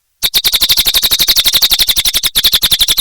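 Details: Lively gacor singing by a cililin bird: dense, rapid-fire high notes, about nine a second, forming a continuous buzzy chatter with one brief break midway.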